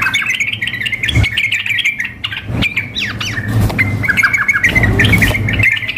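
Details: Female sooty-headed bulbul calling the male, mixed with a fired-up male as in a contest: clear short whistled phrases and slurred upward and downward notes, with intermittent low rumbling bursts.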